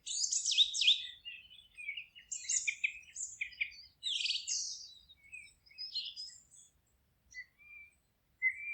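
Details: Birds chirping in a forest, dense bursts of high scratchy warbling and quick twitters at the start, thinning to scattered short notes and ending with a single rising whistle.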